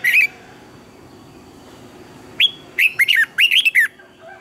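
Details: For training birds, a red-whiskered bulbul sings one loud note, a pause, then a lively run of about eight rising and falling whistled chirps.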